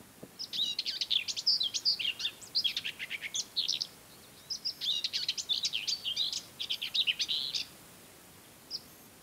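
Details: Common whitethroat singing in mid-May on Ona Island, Hustadvika area, Møre & Romsdal, Norway: two fast, scratchy warbled phrases of jumbled high notes, each over two seconds long, followed by a lone faint note.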